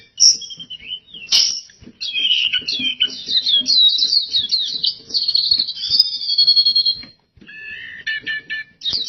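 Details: Oriental white-eye in lively gacor singing: a long, rapid, high twittering warble of thin sliding notes run together for several seconds, then a brief gap and sharp repeated chips, with scattered clicks and knocks in the background.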